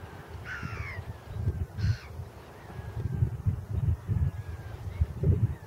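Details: Sandwich tern giving two harsh, grating calls, the first slurring downward, over a steady low rumble of wind, at Pomorie Lake, Bulgaria.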